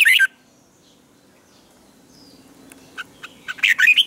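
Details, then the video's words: Red-whiskered bulbul morning training song with a double twisted note: a short loud whistled phrase, a long quiet gap with soft ticks, then another rapid burst of bright notes. "luyện chào mào hót sáng hay nhất 2020, Âm kép xoắn căng, cách luyện chào mào hót căng lửa"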